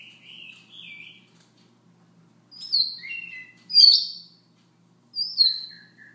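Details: Siberian rubythroat singing softly in the morning: quieter mid-pitched whistles open, then louder high falling whistles and buzzy notes come in short phrases about every one to one and a half seconds.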